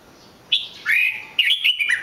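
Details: Red-whiskered bulbul with a clear whistled note, a longer sliding whistle, then a bubbly run of warbled notes rising and falling.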